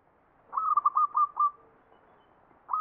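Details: Zebra dove (perkutut) singing in the ngepat style of the Mataram Jogja tradition: a quick run of five clear, mid-pitched cooing notes, then a pause and one more note starting.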